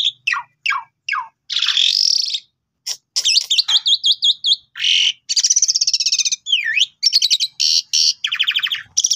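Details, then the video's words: Asian pied starling in full song, singing a fast, varied medley almost without pause: quick falling whistles, harsh grating bursts, buzzy trills and looping squeaky notes; used as a master or lure song for new birds. "Jalak Suren Gacor Mompa"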